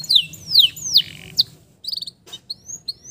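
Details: Male canary singing to stimulate stressed canaries, here softer and broken: a few falling whistles, short pulsed notes, a click, then sparse rising whistles.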